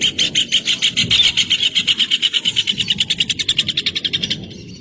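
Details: Rufous hornero in full song, a long, loud run of piercing, clipped notes that starts fast and gradually slows, stopping abruptly near the end over a soft low rumble.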